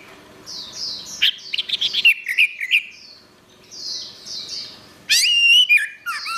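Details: Orange-headed thrush singing in gacor style for training caged birds: a jumble of slurred whistles and quick notes, a quieter pause, then a loud clear descending phrase near the end over soft background chatter.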